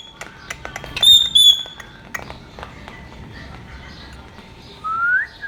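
A ringneck parrot gives clear, high whistled notes and a few sharp clicks, then a rising whistle near the end, in a quiet room.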